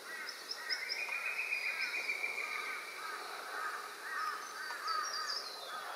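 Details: At Doonan in the Noosa Biosphere Reserve, rainbow lorikeets checking out a potential nest site give a steady stream of grating, squealing chatter, a sustained rattling trill early on, and scattered shrill high squeaks.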